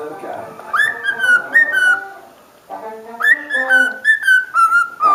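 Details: A pet cockatiel (Nymphicus hollandicus) whistles a clear, tuneful song of sliding notes instead of talking, running through its repertoire of whistles while its owner talks to it in between.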